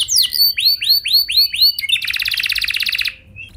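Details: Lure recording of a singing canary meant to make other canaries answer: a series of arched whistled notes at about two per second, then a long rapid rattling trill that fades out.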